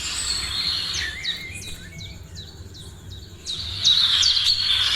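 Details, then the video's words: Morning birdsong: a series of quick, high chirps repeated about three times a second, then a loud, rapid twittering burst over a faint low rumble. "#Morning sounds of birds#"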